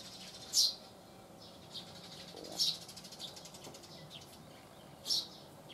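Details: A Eurasian tree sparrow perched on a deck railing in southern Sweden on 12 June 2015 chirps loudly: three sharp, high chirps about two seconds apart over a soft background hum.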